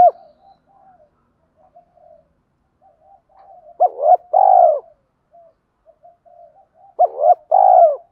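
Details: Spotted dove cooing as a lure for wild doves. Two phrases about three seconds apart, each with quick rising hoots and a long fluttering coo, over faint soft murmuring.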